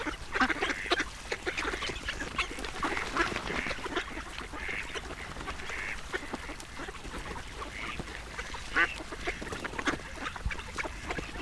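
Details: A duck feeding, giving soft, broken quacking calls mixed with busy dabbling and splashing noises, loud clicks and rustles throughout, with a brief sharper call near the end.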